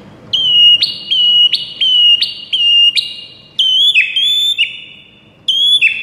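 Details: White-rumped shama repeats a loud ringing whistle, sharp onset then a slightly falling tone, about once every 0.7 seconds, followed by higher, longer whistled variations.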